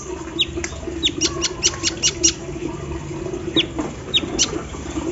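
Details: Kolibri ninja sunbird singing in the morning dew, song stuffed with embroidery-machine imitation: fast series of high ticking notes and a few quick downward-slurred whistles, above faint steady hum.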